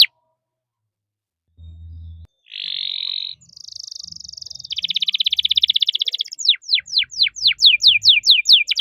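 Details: Canary singing, a loud bird used for tutoring young canaries: buzzy trilled rolls, then a long fast rattle, ending in a series of quick descending whistled notes.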